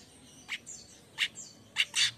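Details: Streaked weaver chattering in the morning: four short, sharp, high chips spaced roughly half a second apart, the last one longer and rougher.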